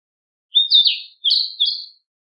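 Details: Narcissus flycatcher repeating whistled song phrases, a slurred warble followed by two shorter linked clear notes, all in the bird's high sweet register with silence around.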